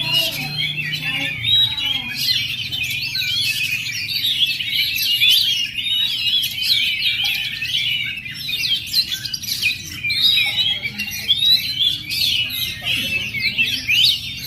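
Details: Oriental magpie-robin, called 'perjaka' (bachelor), delivering a long, dense run of fast chirps, whistles and scratchy twittering notes that pours on without a break, loud and busy throughout.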